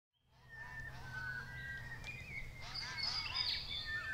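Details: A clan of White-winged Choughs in the Capertee Valley, NSW, in October 2018: a dense chatter of short arched notes, with drawn-out whistled tones running underneath, growing busier and louder toward the end.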